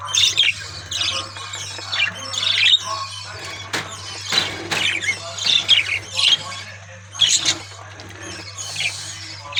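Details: Budgerigars living in an aviary, singing and playing, produce a rolling chorus of high squawks and warbled chirps in repeated bursts over a constant low mechanical hum.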